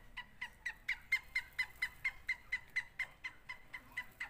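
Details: Francolin in a contest between Sindhi and Punjabi birds, giving a sharp, even series of ringing notes about twice per second, loud and regular, over a quiet noisy background.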